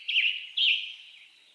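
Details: Two hoarse, slurred phrases from a western tanager in western North America, about half a second apart. The second is followed by a fading, softer trailing note.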